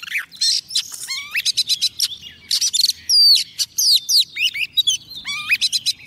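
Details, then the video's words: Female Oriental magpie-robin used as a lure, singing to call a male: rich varied phrases of whistles, rising and falling slurs and dense buzzy bursts, delivered in rapid succession without pause. "Choè than mái mồi hót gọi trống cực hay"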